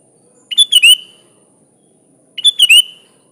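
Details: Sooty-headed bulbul giving a repeated cheerful phrase twice, each a quick run of bubbly whistles ending in a falling slurred note, about two seconds apart, with a faint steady high-pitched hum throughout.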